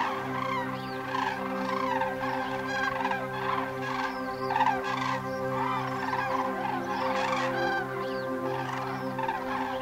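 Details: A flock of migrating cranes in flight, a steady stream of overlapping trumpeting and rattling calls from many birds, accompanied by held musical tones.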